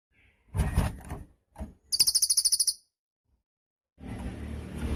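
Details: Cililin bird used for training songbirds: a short, high, rapid trill of about ten buzzy pulses, set between bursts of low rustling and handling noise.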